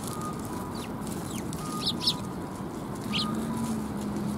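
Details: Sparrows at a Tenmangu shrine on 9 December 2021 give short high chirps: a quick pair near the middle, then another single note, with fainter chirps before, over low rumbling noise and faint steady tones.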